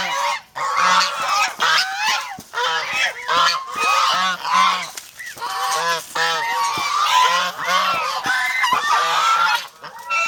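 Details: Protective domestic geese kept as poultry in the Philippines honk in a rapid, crowded chorus, many harsh nasal calls stacking on one another in repeated bursts over ten seconds, with short near-silent breaks.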